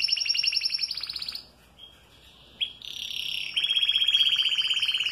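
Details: Canary in moult singing, noted as singing all day despite changing feathers: fast, high rolling trills of rapidly repeated notes, one tour after another, with a brief pause and a short buzzy phrase before a steady rapid trill resumes.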